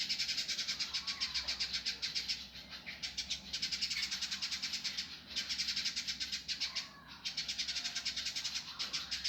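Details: Indigo bird singing in a rough, fast, tight style, recorded as a master for training birds: long runs of harsh, buzzy, high notes repeated very rapidly, broken by brief pauses.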